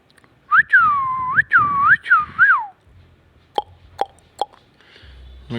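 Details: A talking pet rose-ringed parakeet repeats "me too" phrases: four loud, clear whistled phrases that swoop down and back up, then three sharp clicking notes about half a second apart.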